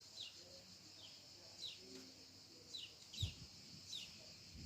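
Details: A small sparrow, recorded from about 50 metres away and edited in post-production, gives short, bright chirps, about six over five seconds at an uneven pace, over a low murmur of background noise.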